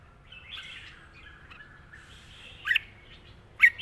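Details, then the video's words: Caged red-whiskered bulbul gives soft, bubbly whistled warbles in a long song, then two louder, sharp chirping notes near the end. The background is quiet. "ปากเบา+ร้องง่าย เพลงยาวมีริก"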